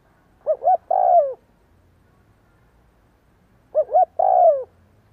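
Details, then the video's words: Decoy spotted dove cooing through the day: two phrases about three seconds apart, each two short notes and a long downward-sliding coo, with a soft low rumble underneath. "chim cu gáy kích bổi gáy cả ngày"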